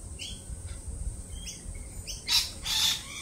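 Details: Lorikeets, jittery after a Peregrine Falcon attack earlier this week, give short high chirping notes, then two loud harsh screeches near the end over a low background rumble.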